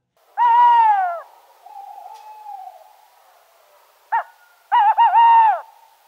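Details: Tawny owl (Strix aluco), France's most common owl, heard in towns and countryside, gives a long clear hoot, then after a pause a wavering, quavering hoot, with a short muffled note between; its familiar song.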